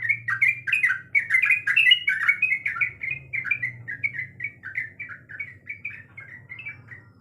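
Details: Female sooty-headed bulbul in breeding condition calling the male: a rapid, chattering run of short bubbly notes, about 160 a minute, loudest at the start and fading toward the end, with a low steady hum beneath.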